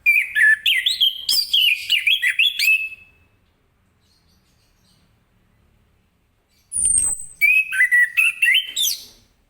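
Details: In the morning an orange-headed thrush sings 'ngeplong' style to spur other birds into song: long runs of loud warbling whistles that rise and fall, a pause, a thin descending high squeal, then more rapid whistled phrases.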